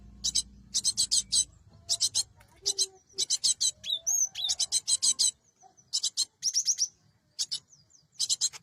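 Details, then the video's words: Cinereous tit calling for a trapping lure, repeated bursts of dry rasping high notes in groups of four or five, with a few clear whistled slurs between runs. "Suara Burung gelatik batu"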